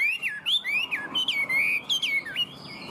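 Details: Chinese hwamei, tame and caged, whistling a melodious, warbling phrase of clear notes that swoop up and down and link smoothly, delivered in the bird's high 'cao cầu' style.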